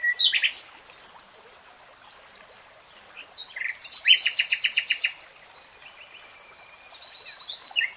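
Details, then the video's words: Song of a common nightingale: sharp opening notes, quiet scattered chirps, then a rapid loud burst of repeated high notes for about a second, followed by softer varied twitters. "BEST NIGHTINGALE SONG 3 Hours REALTIME Nightingale Singing"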